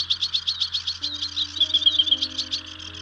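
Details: Sedge Warbler song on Stains Moor in early spring, the bird perching and lifting off while singing: a quick run of repeated chattering notes sliding into a short whistled phrase, over soft background music.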